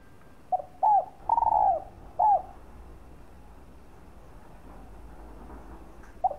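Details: Cooing spotted dove used to rouse and lure other doves: a cluster of four low, mellow coos, one longer and wavering, then a quiet pause before a single final note.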